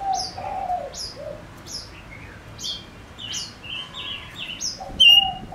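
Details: Male lure bird singing: a low warbling phrase, then thin high downslurred notes and mid-pitched whistles repeated at an even pace, ending in one loud clear whistle.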